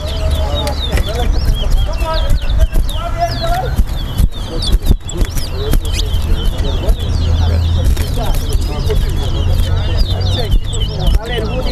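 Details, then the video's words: Towa towa, the Chestnut-bellied seed finch, competing against another bird at a Guyanese singing contest: long continuous run of fast, high chattering and slurred notes, heavily overlaid by men talking nearby and steady low background noise. "Bird and the Restless Towa Towa Singing Competition"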